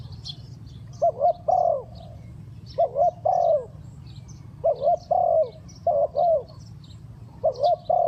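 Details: Spotted dove giving fast-style cooing used as a trapping decoy: low, mellow three-note coo phrases, the last note longest, repeated about every two seconds, with faint high chirps in the background and a low hum throughout.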